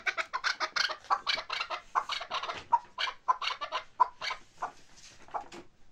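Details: Chukar partridge of Bartang, Pamir, uttering quick bursts of harsh clucking chuk notes. Some notes run close together, others are spaced. Calls fade slightly near the end.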